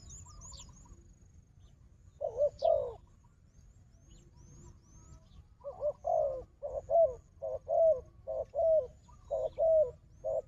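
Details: A fighting wild dove confronts a decoy with a steady series of deep rolling coos. A pause comes first, then paired short notes and longer throaty coos repeat about once a second, with faint thin chirps of other birds.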